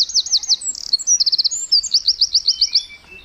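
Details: A bird in the morning chirps in quick, high trills: short rapid series of sharp notes, some slurred downward, repeated several times in a few seconds; nothing else stands out.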